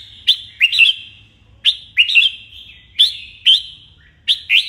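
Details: Red-whiskered bulbul in morning song, played to train birds toward competitive singing; four short phrases, each a sharp whistle followed by a quick warbled double note, about one phrase every 1.3 seconds.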